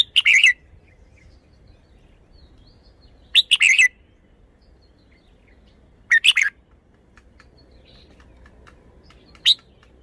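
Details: Caged red-whiskered bulbul showing off its song phrasing. Short, bright, chirpy phrases of a few quick notes come about every three seconds, with quiet pauses between and a faint low hum behind.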